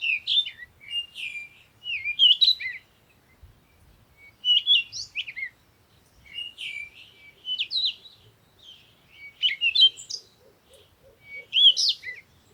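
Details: At sunrise, birds chirp in a steady stream of high, varied twittering phrases, six or seven bursts with brief pauses, and a faint pulsing lower sound near the end.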